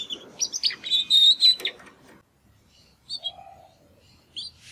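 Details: Two young Timbrado canary brothers, hatched in the second breeding round of 2020, make their first singing attempts after their first molt: under two seconds of high chirps and a short buzzy trill, then faint scattered notes with long gaps.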